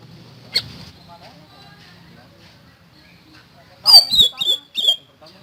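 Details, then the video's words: Common iora in loud song: after a sharp click and a quiet spell, a short string of piercing, downward-slurred whistles comes in three or four quick strokes, over a faint low hum. "BURUNG SIRI SIRI GACOR FULL NEMBAK"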